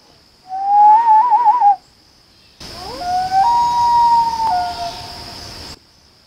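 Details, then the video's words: A Common Loon trades calls with a person in a short back-and-forth exchange: a mid-pitched, wavering phrase that rises and falls, then long, clear, rising wail-like notes over steady hiss. "LOON CALLING CONVERSATION"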